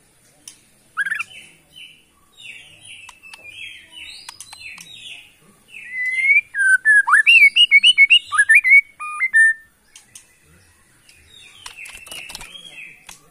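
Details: Borneo white-rumped shama from the Kalimantan forest, a caged songbird, producing soft repeated short notes that build into a loud rapid rattle of sharp whistled notes, then fade to quieter chatter.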